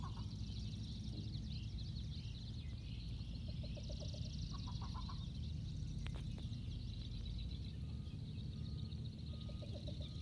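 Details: Two Least Bitterns counter-calling at Presque Isle State Park, Pennsylvania, on 8 June 2018 trade short runs of low, hollow clucking notes, a few seconds apart, over a steady high insect buzz and low background rumble.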